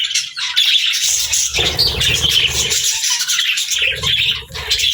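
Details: Chirping pet budgerigars housed with lovebirds give bright, warbling chatter mixed with sharp high whistles, packed closely together with only short pauses.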